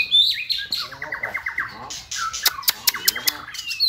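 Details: White-rumped shama singing for a singing contest: a quick run of short repeated notes near the middle, then sharp clicking ticks and brief high whistles, with a snatch of speech nearby.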